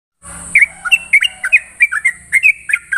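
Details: Sooty-headed bulbul singing its rapid ropel-style song in the morning: short liquid whistled notes, each bending down then up, tumbling in quick bursts, over a steady thin high whine throughout.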